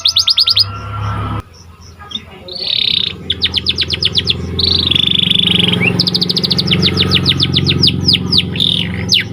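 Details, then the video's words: Panda canary singing energetically, used as a training recording: rapid downswept whistled notes, brief pauses, and steady buzzy trills, with a low rumbling background hum throughout. "Kicauan Burung Kenari Panda Gacor"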